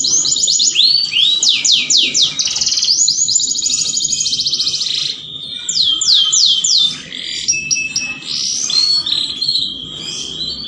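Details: A canary sings to encourage mating, using varied phrases: quick sweeping whistles, a dense fast trill, a quieter pause, then sharp repeated slurs and softer warbled notes with a steady high tone.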